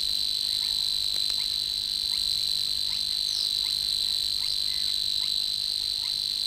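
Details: Savi's Warbler singing in the reed beds of Matsalu, USSR: a continuous, even, high-pitched reeling buzz held without a break through the whole stretch, with faint scattered ticks behind it.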